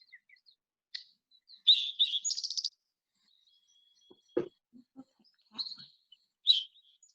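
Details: A Spotted Towhee male sings once in spring on Protection Island, singing to mark territory boundaries: a few sharp introductory notes, then a fast, buzzy high trill lasting about half a second. Soft clicks and handling noises follow.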